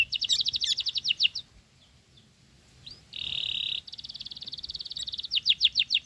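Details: Sooty-headed bulbul chick, fed crickets and growing fast, begging: rapid bursts of high, sharp repeated notes, a steady buzzy rasp in the middle, then another quick run of chirps.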